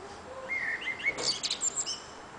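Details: Evening song of a nightingale on an antenna in June: clear whistled notes rising into a burst of quick, sharp high phrases and warbles, with a quiet hiss behind.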